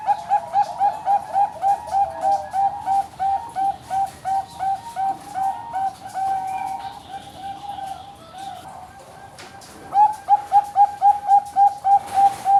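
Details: Bangkok-type zebra dove from a Kediri, East Java bird farm singing long runs of quick, evenly spaced coos, about three and a half per second, broken by a murky pause, then resuming; other birds faintly behind.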